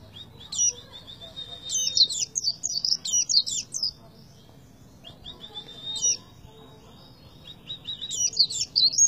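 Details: Oriental white-eye singing tembakan style: two spells of rapid, high-pitched twittering and sharp whistled slurs, the second rising to a fresh burst near the end, over a noticeable steady background noise.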